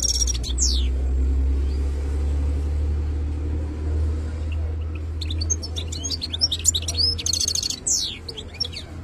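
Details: Wild European goldfinch: a few high twittering notes at the start, then a long lull under a loud low hum before a lively burst of rapid tinkling chirps and buzzy trills late in the recording.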